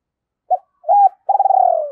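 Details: Decoy spotted dove gives a calling coo meant to lure wild birds: a brief note, a flat sustained coo, then a long pulsing coo that slowly falls away.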